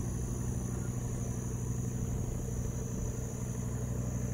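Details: Steady low engine rumble like an idling vehicle fills the whole recording, with a constant high electrical whine and no animal voices.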